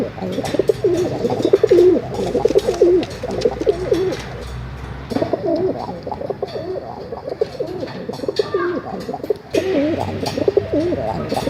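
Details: Pigeons coo almost without pause in low, throaty, wavering phrases that swell and fade in bursts, with scattered clicks and rustling behind them.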